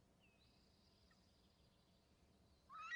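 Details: An eagle on a branch near its nest makes faint, thin, soft high whistles toward its eaglets, then breaks into a sudden loud, harsh chittering call; a low background hum runs throughout.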